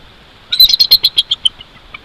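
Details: Wild bald eagle at its nest about 145 feet up in a Jeffrey pine at Big Bear Lake, California, recorded at 06:28 on 22 January 2023: a rapid, high, thin chittering series of about ten piping notes over one second, trailing off into faint quieter notes.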